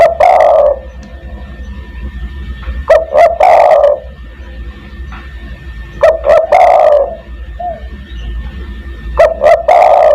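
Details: Spotted dove lure call for drawing in other doves: four loud phrases, each two short clipped notes and a long rolling coo, roughly every three seconds.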